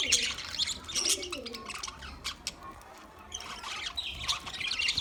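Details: Budgerigars chirping: scattered bursts of high, scratchy twitters and squeaks, busiest at the start and end with a quieter stretch between, over a low rumbling background.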